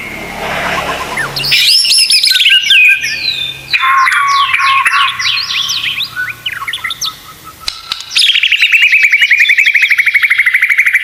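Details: Masteran of white-rumped shama (murai batu) with full 'isian tembakan'. After softer notes come dense high chattering whistles and varied slurred phrases, ending in a long, fast, evenly repeated trill.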